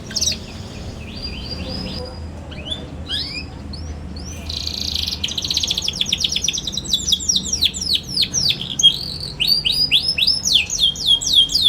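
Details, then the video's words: Young canary singing as a lure for other young canaries learning to sing: opens with short trills and a buzzy burst, then builds into fast, dense runs of sweeping chirps that grow louder toward the end. "KENARI PAUD NGERIWIK GACOR CUIT CUIT BIKIN EMOSI |22| COCOK BUAT PANCINGAN KENARI PAUD BELAJAR BUNYI"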